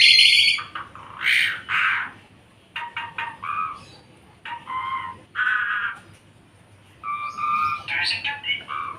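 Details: Javan pied myna kept as a cage bird, singing in separated bursts: squeaky, rasping phrases and nasal, harmonic-rich notes, each burst about a second long with short silences between. The background is quiet.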